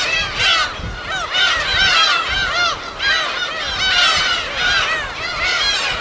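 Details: Wild gulls in their natural colony on Korea's uninhabited Gull Island, West Sea: thick, overlapping chorus of wailing, arched calls, rising in clustered bursts about every second, recorded on site.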